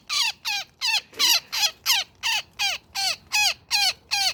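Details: A woodpecker tangled in a net cries in distress with a rapid, regular series of grating, falling squawks, around eleven calls in four seconds, clear and close.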